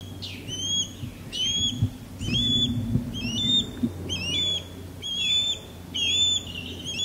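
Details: An osprey over a backyard gives a series of shrill, whistled, upslurred cheeps, about one every second, over a low background rumble; it is male sky-dance courtship calling, with the female calling from a longleaf pine below.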